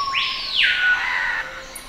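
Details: A screaming piha at Sadiri Lodge, Madidi National Park, in the Bolivian rainforest, gives one loud, ringing whistle that swoops up and arcs back down. Males sing together competitively to show fitness to females. Faint insect hum behind.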